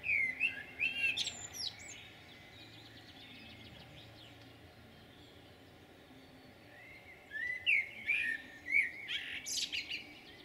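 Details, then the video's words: Common blackbird song recorded on 11 June 2022 in Jūrmala: two separate phrases several seconds apart, each mellow whistled notes followed by a scratchy, high-pitched twittering flourish, with a steady low hum in between. "Blackbird's song"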